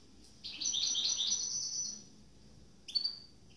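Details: Captive goldfinch mule, one of two hybrids just finished moulting, delivers a rapid high twittering phrase of about one and a half seconds, followed by a short sharp chirp; low background hum.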